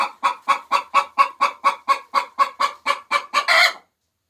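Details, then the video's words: Chicken hen calling while laying eggs, a fast, regular series of about fifteen short, hoarse clucks, roughly two per second, closing with a longer, louder squawk before silence. "Sounds of 🐓Chicken's Laying Eggs 🥚🥚"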